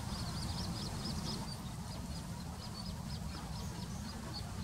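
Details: Little grebe (Tachybaptus ruficollis) at Plaiaundi, Txingudi, Irun, Gipuzkoa, in September 2019: a long run of high, quick repeated notes forming a whinnying trill across most of the recording, set against a steady low traffic-like rumble.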